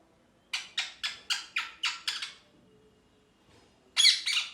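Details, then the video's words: Pet parrot chirping happily: eight evenly spaced, short, sharp chirps about four a second, a quiet pause, then two louder rasping calls. "Parrot Chirping Sounds (Happy Voice)"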